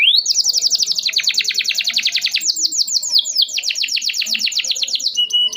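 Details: Canary in long, continuous song, used to coax young canaries learning to sing and silent ones; fast rapid trills of high chirps, one stretch of bright notes after another with barely a pause, ending on a thin whistle.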